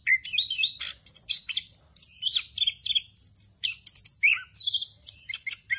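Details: Orange-headed thrush singing the continuous 'ngerol' style, packed with varied fill-in phrases, used as a tutor recording for untrained thrushes: rapid high chirps, short slurred whistles and rising notes in quick succession with brief gaps.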